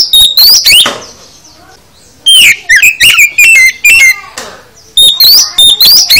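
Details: Oriental magpie-robin, called kacer, singing full isian: a burst of rising whistles, a pause, then a chain of falling whistled slurs about three per second, ending in upswept notes.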